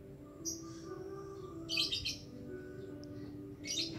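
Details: Lovebird call used as a lure to prompt other lovebirds to sing: three short bursts of high, shrill, squeaky chatter spaced over a few seconds, over a steady low electrical hum.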